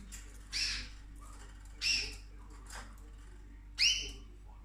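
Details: Pet cockatoo indoors, eating orchid flowers, gives three harsh, raspy screeches about every one and a half seconds, each a short broadband burst with a faint low hum underneath.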